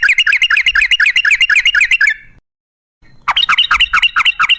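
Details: Yellow-vented bulbul song, a lure to get bulbuls singing: quick, bubbly, twisting notes in a rapid chattering run, a brief silence, then the run resumes.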